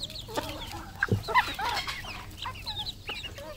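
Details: Decoy red junglefowl from local stock, calling in rapid high chirps and short clucks, about four per second and irregular, with overlapping birds and a steady low hum.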